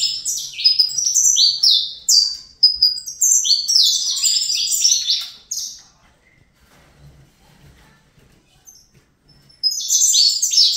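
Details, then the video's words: Young captive-bred Saffron finch pours out a long Fibra-style strophe of rapid high descending notes, falls silent for several seconds, then starts singing again at the end. "Canto Canário da Terra Fibra"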